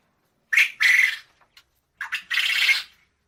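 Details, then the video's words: A quail gives two harsh, raspy calls about a second and a half apart, each a short clipped note followed by a longer grating burst. "Tunog ng PUGO | Sound of QUAIL"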